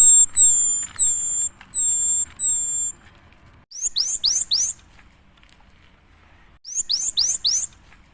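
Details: Cinereous tit singing as a lure to set other birds singing: a run of steady, very high, thin whistled notes, then rapid bursts of four sharp downward-sweeping notes separated by a silent pause.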